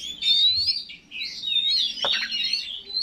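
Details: Oriental magpie-robin; song; provoking rival males into singing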